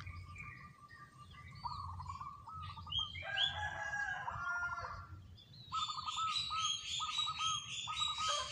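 Zebra dove giving rapid, rolling runs of soft staccato coos at a steady mid pitch, with other small birds chirping brightly over it and a low hum beneath.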